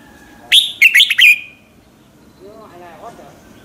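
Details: Red-whiskered bulbul singing in the morning, a lure recording meant to make other bulbuls sing; a quick phrase of four bright whistled notes, followed by softer lower warbling notes from another bird.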